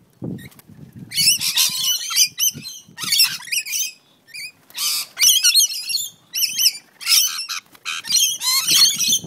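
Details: Rainbow lorikeets fighting in a backyard on the Central Coast of New South Wales: harsh, screeching squawks in bursts of about half a second, coming roughly every second, with short gaps between them.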